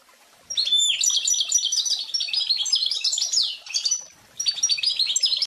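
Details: Pintagol, a goldfinch and canary hybrid, singing a fast twittering song of high sharp chirps and trills in dense bursts, a short pause near four seconds, then the twittering resumes.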